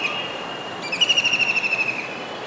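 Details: Kingfisher sitting on a building's dish antenna in Surat, Gujarat, calling on a rainy day in July 2019; a quick run of bright, evenly spaced notes forms a level, slightly falling trill after a short faint note.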